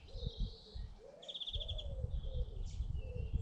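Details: Garden birds in Britain, with soft low cooing phrases repeated beneath a quick, high rattling trill and scattered chirps, over low rumbling background noise.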